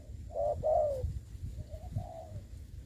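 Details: Spotted dove kept as a ground decoy in a trapping setup. A quick double coo is followed by two quieter, softer coos over steady low-pitched background noise.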